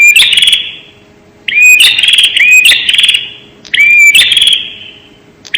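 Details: ['Bar-winged prinia calling for luring birds: loud buzzy trills preceded by brief upslurred whistles, three phrases with reverberant tails and short silent gaps between.']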